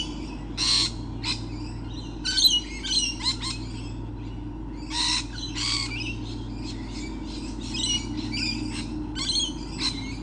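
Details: Lorikeets recorded on 28 November 2013, many birds about, early morning: sharp grating squawks in separate bursts, some single and some in quick clusters, with gaps of background hum between them.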